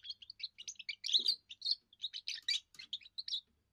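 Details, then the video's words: First song of a young European goldfinch, defending territory and attracting females: continuous rapid string of high, tinkling and slightly buzzy notes, varied pitch, lasting nearly four seconds. "first song of a young goldfinch amazing wonderful singing"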